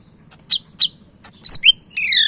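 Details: Medan-type Sumatran leafbird (cak ijo) singing energetically: short high chips, then a twisting slurred whistle and a long ringing downslurred note with layered harmonics, low hum underneath.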